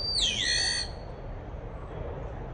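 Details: A common starling at a tree hole gives one harsh, whistled call, under a second long. It dips in pitch, then swings back up. A low background rumble follows.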